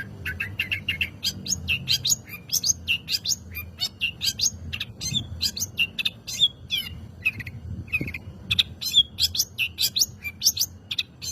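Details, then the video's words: Long-tailed shrike in full, active song, used as a lure to provoke other birds to sing: a rapid, continuous stream of varied high chirps, trills and scratchy notes, some whistled and rising, with a low hum underneath. "Burung Cendet Gacor "Pancingan Cendet Super Ampuh""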